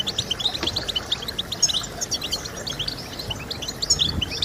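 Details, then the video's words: Goldfinch song for training birds to sing: busy high-pitched twittering with quick chirps and small rising slurs, phrases overlapping continuously, with faint low rumble beneath. "Stimulating Birds with Goldfinch Sounds"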